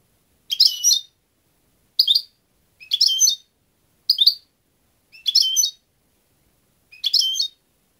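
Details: European goldfinch giving short bright twittering call bursts, each about half a second long, repeated roughly every second and a half, with silence between them.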